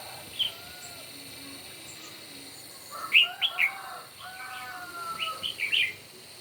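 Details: Morning singing contest of red-whiskered bulbuls: clusters of quick, sharp warbled notes in two bursts, over softer, longer level whistles from other birds and a constant high-pitched background hum.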